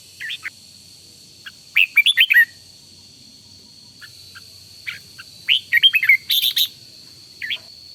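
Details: Red-whiskered bulbul decoy trained for morning song gives several bouncy phrases of quick, bright whistled notes, one followed by a harsher burst, with pauses between and a steady faint high whine behind.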